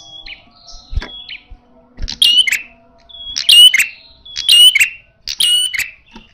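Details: Red-headed prinia in fighting style, loud and aggressive: harsh, buzzy bursts with sharp high notes, repeated about once a second in a steady series after a few thin whistled notes, with faint low thumps in the background.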